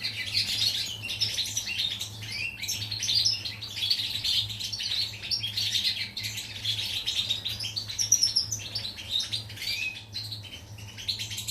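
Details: Recorded 14 July 2019, a pied European goldfinch delivers a long, unbroken stream of sparkling twitters, trills and squeaky notes, with a steady low electrical hum in the background.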